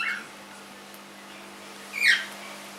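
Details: A three-month-old pet cockatiel gives two short, bright chirps that slide downward, one at the start and a louder one near the end, over a faint steady indoor hum.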